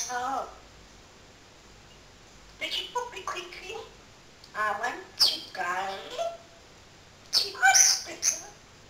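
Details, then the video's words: Talking parrot, rushed early in the morning, imitating human speech: three spaced bouts of voice-like, harmonic syllables, the last ending in sharper, higher squeaky notes. "BEST TALKING PARROT IN THE WORLD"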